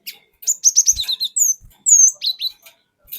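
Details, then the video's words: Wild-sourced cinereous tit singing to provoke other birds: a rapid string of piercing downslurred whistles, then two long clear sweeping notes and a short pair of falling chirps. "Pancingan Burung Glatik Batu Bahan Hutan Auto Ngeplong Wucit Wuit Ngerol Panjang"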